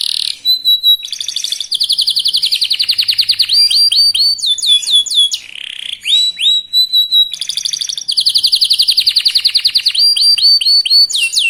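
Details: Young, very vocal local canary delivering fast bait song to stir rivals: stuttering whistled starts, long pulsing trills, clusters of looping slurred notes and a low buzzy note, then trills resume.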